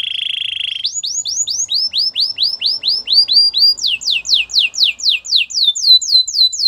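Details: Canary song used for training other canaries: a short steady high tone, then a fast run of rising-falling whistled syllables about four per second, shifting to a brighter, quicker series of downward-sweeping notes.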